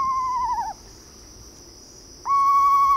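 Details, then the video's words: Eastern screech owl call: a sustained quavering whistled note that wavers and falls at the end, a pause of about a second and a half, then another long steady whistled note begins; a faint constant high hum underneath. "Eastern Screech Owl Sounds: Learn their TWO haunting calls!"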